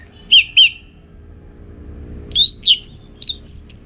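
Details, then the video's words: Song of an Orange-headed thrush, a training recording for song contest birds from northern Bali: two paired whistled notes, a pause, then a fast run of high sweet whistles and chirps. "Masteran ANIS MERAH Gacor Untuk Melatih Mental Burung Untuk Gantangan"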